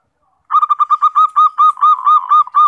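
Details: A local zebra dove (perkutut), a strong singer used as a lure to prompt other kept doves to answer, gives a quick run of about a dozen soft, staccato cooing notes, evenly spaced and steady in pitch.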